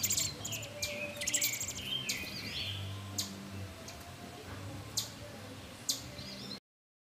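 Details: Robin nestlings fed in a nest within a satellite dish beside a screened porch; a burst of high chirps and thin slurred notes at first, then sparse single peeps, low hum throughout.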